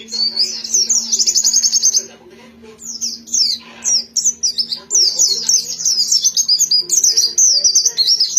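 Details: White-eye singing a rapid string of high, thin chirps and sweeping whistles, with a brief quiet pause near the second second before the bright twittering resumes and runs on densely.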